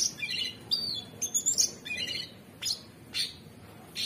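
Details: Cucak cungkok, or orange-bellied leafbird, sings high, thin whistles and sharp downward-sweeping notes, mixing level tones with quick buzzy flourishes and short pauses, a modern 'materi' style song from a very vocal bird.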